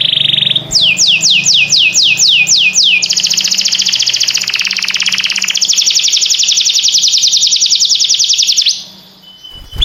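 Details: Canary song: a brief buzzy note, then a run of falling whistled sweeps leading into a long fast rolling trill lasting several seconds, with faint low hum beneath.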